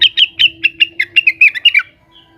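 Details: An agitated leafbird (cucak wilis) calling to rivals: a quick run of about a dozen sharp, slightly descending chips ending in a slurred note, over a faint steady hum.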